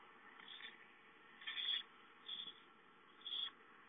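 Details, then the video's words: Owlets at home on a nest camera, dated 5-9-13, calling for food: four short hissy screeches roughly a second apart, the last two louder, over steady low background hum. "Owlets have fun playing at home, Chicka calls for food"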